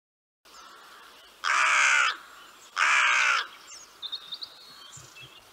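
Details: Hooded Crow in Central Europe giving two harsh, drawn-out caws about a second apart, each grating and broad-toned, followed by faint high chirps from other small birds.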